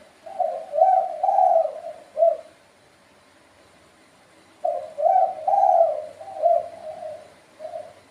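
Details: Spotted dove calling, two similar cooing phrases separated by a pause of about two seconds. Each phrase has several husky, low, rounded coos, the middle ones loudest and longest, with a short trailing note.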